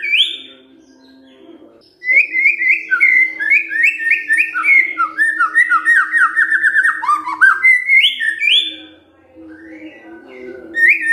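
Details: White-rumped shama giving the kretekan fighter call to provoke other birds: after a quiet start, a long rapid chatter of slurred notes, about three or four per second, pauses, then resumes.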